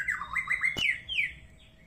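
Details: White-rumped shama singing an odd phrase: quick repeated whistled notes followed by a sharp click and a long descending slurred whistle.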